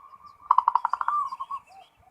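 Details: Zebra dove in ngerot song: a quick string of about eight loud bubbling pulses that slows into a smooth drawn note and softer trailing coos.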